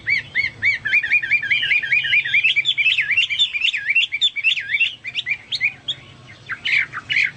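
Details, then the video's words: Actively singing Chinese hwamei, a song compared to cucak Papua or cucak mas: a quick run of looping whistled notes repeated many times, then louder, more varied whistles and sharp slurs. "burung hoa mi seperti cucak Papua atau cucak mas gacor"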